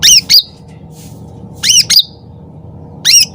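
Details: Sooty-headed bulbul singing loudly and lively, used as a lure: three bursts of sharp, squeaky, slurred high notes, each under half a second, spaced about 1.5 seconds apart over a steady low indoor hum.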